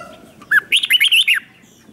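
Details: Lure red-whiskered bulbul calling birds in, delivering one brisk phrase of about six rapid, bubbling whistled notes that rise and fall.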